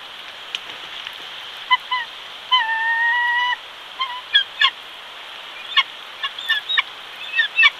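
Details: Bald eagle nest in Big Bear, California, while the male arrives with a fish for the only chick: scattered high piping chips, then a drawn-out, level whistled note about a second long, then more chips.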